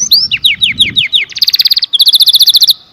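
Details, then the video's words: Canary song beginning with a string of downward-slurred whistled notes, followed by two rapid bursts of crisp, evenly pulsed high notes. "The most Beautiful Sound Of Canary - Canary Singing"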